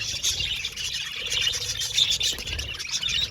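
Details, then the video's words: Aviary budgerigars chattering in a dense chorus of high chirps and short whistled notes, overlapping from many birds over a low rumble. "Beautiful Budgies Chirping Sound | Happy Budgies Natural Sounds"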